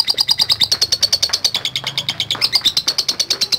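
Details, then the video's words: Long ngekek trill from a lovebird: steady rapid series of shrill high chips, evenly repeated throughout, with a low hum underneath. "LOVE BIRD GACOR NGEKEK PANJANG"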